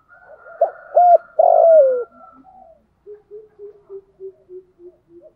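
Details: Spotted dove used as a decoy to stir up wild doves in the rainy, windy season, cooing in the 'thổ sấm' voice style: three loud hollow coos, the last drawn out and falling, then a run of soft, lower coos about three per second.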